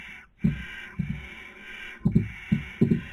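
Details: Barn owl in a nest box watched by webcam, Cabañeros National Park, Spain, 2020 breeding season: a steady rasping hiss runs almost throughout, broken by short pauses, with low knocks and scuffling thuds.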